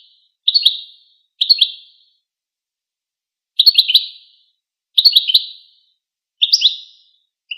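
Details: Goldfinch chattering, heard during interactions or courtship displays, in quick high twittery bursts of three or four notes, some paired closely, others separated by gaps of over a second.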